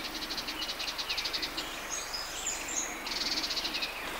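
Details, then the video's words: Sardinian warbler in a riverside grove on the Matarraña, June 2011: fast, dry, high rattling bursts of evenly spaced clicks, broken by a brief scratchy warble before the rattle resumes. "Voces de Curruca mirlona"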